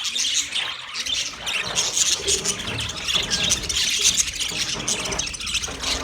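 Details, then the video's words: Colony of 30 pairs of budgerigars giving a thick chorus of high chirps and squawks, mixed with a low background rumble throughout. "30 pairs Budgies colony sounds Big chirping sounds"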